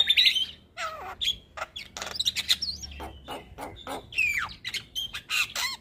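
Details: Javan myna singing continuously, recorded as a training track: a varied jumble of sliding whistles, harsh chattering notes and sharp clicks in quick succession.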